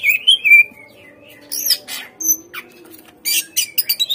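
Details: Greater green leafbird song played to prompt captive birds to respond: a wavering whistle at the start, harsher scratchy notes in the middle and a closing flurry of short chirps.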